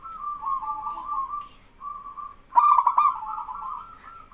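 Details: Fainter coos from answering doves come first. Then a local male zebra dove, singing actively to make other doves join in, breaks into one loud, rolling, stuttered coo phrase that trails off into a sustained tone.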